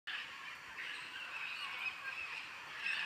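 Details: A flock of macaws by the Tambopata river, preparing to descend to a clay lick, keeps up a dense, continuous din of harsh, raspy squawks that overlap into one steady, high chorus throughout.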